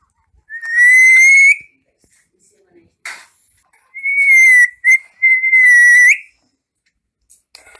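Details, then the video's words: Parrot whistling in a funny voice: long, steady, pure whistles, the first lasting about a second and rising at the end, then two more in quick succession ending in an upward flick; short breathy noises between them. "parrot talking laughing whistling"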